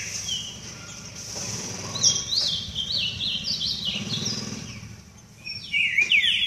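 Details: Green-winged saltator singing during a warm-up session, giving quick runs of bright, downslurred whistles that step up and down in pitch, then a short pause before a final louder burst of notes; faint steady background hum.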